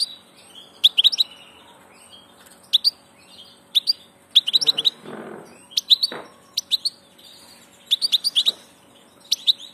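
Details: Passage goldfinch singing in repeated short bursts of tinkling, high twittered notes, broken by brief rustling noises between phrases.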